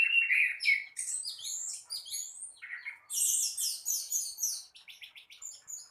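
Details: Orange-headed thrush singing in the morning in lively, continuous gacor teler style: rapid varied phrases of chirps, trills and sharp whistled notes, with a burst of dense buzzy notes after a short pause.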